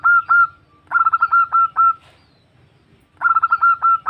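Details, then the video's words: Female zebra dove calling a male, a recording used to lure birds: bursts of quick, bright staccato coos run into longer level notes, phrases repeating about twice with a pause between, over a faint low hum. "Suara Perkutut Betina Memanggil Jantan"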